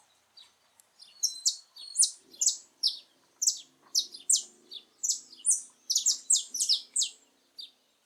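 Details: Saffron finch singing freely in its natural habitat: an extended series of clear, high, falling chips in uneven pairs and triplets, building to a busy cluster before stopping abruptly.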